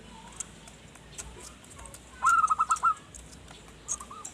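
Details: Zebra dove (local perkutut), its strong song used to lure wild forest birds: a single short bubbling phrase of quick repeated coos, a softer fragment near the end, over steady background hiss and faint ticks.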